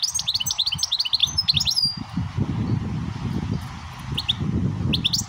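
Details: A goldfinch, teaching a young siskin x canary mule, pours out a rapid, tinkling twitter of high liquid notes for two seconds, then a few scattered chirps over a steady low rumble.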